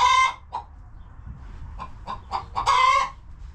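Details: Hens resting in their coop give a loud, buzzy squawk, then a string of soft, muffled clucks, and finally another harsh drawn-out call; low background hum beneath.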